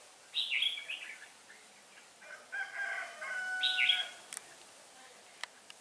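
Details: Decoy red-whiskered bulbul from Hòa Bình singing 'ché' style during trapping, 18 December 2016: two rich warbled phrases bracket a rooster's drawn-out crowing, with sharp clicks near the end.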